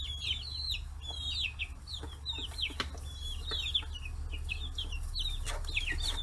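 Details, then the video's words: Forty-day-old chicks on a free-range farm in Hiroshima Prefecture swarm over fish heads, giving overlapping shrill peeps and short rising-falling chirps, with sharp pecking clicks and a steady low rumble. "chicks chirping sounds"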